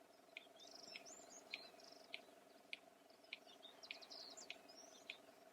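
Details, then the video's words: Steady series of sharp beak clicks from a red-crested bustard, a sound for contact and male courtship display; about nine clicks evenly spaced, with busy high-pitched birdsong and a faint constant drone in the background. "The click-sound of a Red-crested Bustard"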